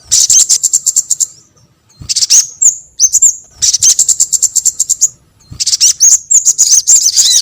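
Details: Sogon bird calls for luring sogon birds: four rattling bursts of rapid, very high chirps, each about a second long, broken by brief quiet gaps and a few whistled slurs.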